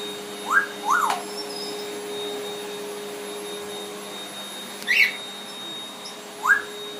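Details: A young African grey parrot, not yet able to fly and just learning to whistle, gives four short, clear whistled notes that slide up and down at irregular spacing. It whistles at the vacuum cleaner it loves and likes to ride, over the machine's steady hum.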